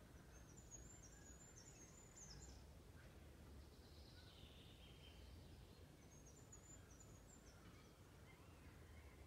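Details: Dunnock singing in a spruce grove at Stornäset, Alnö, on 15 April 2021: two brief, high, jingling warbled phrases about five seconds apart, faint over a steady low rumble of wind or distant traffic.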